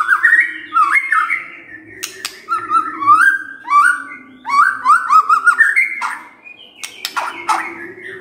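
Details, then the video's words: White-rumped shama song played in the morning to make a quiet bird respond: mellow, lower whistled phrases repeating with rising-falling slurs and occasional sharp clicks, steady low hum behind. "Pancingan PAGI-PAGI AGAR MURAI GACOR❗ murai diam pasti ikut NYAUT❗❗"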